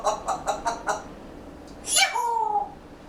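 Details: A pet grey parrot going for a nap chatters quietly to itself: five quick, evenly spaced raspy notes, then a sharp click and a short, slightly falling whistle, in a quiet room.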